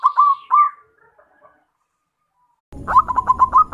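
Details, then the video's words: A local zebra dove lure call, meant to make other perkutut answer: two soft, mellow hooked coos, a pause, then a quick run of staccato coos, over low background rumble. "PANCINGAN PERKUTUT LOKAL PALING AMPUH"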